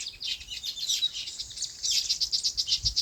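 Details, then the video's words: Wild birds on a farm in their natural habitat: a dense, overlapping chorus of high, bright chirps and twitters, with quick notes tumbling together, a brief lull near the start, then louder bursts toward the end. "Relaxing Bird Chirping Sounds"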